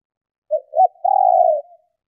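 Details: A brief phrase from a female spotted dove calling to stimulate males: a short soft coo, a second arched coo, then a drawn-out, slightly burry hooting note lasting over half a second. Everything else is silent.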